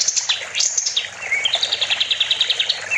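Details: Kapas tembak (sooty-headed bulbul) singing as a master for training songbirds: high upswept notes, a short slurred whistle, then a fast even trill of repeated notes.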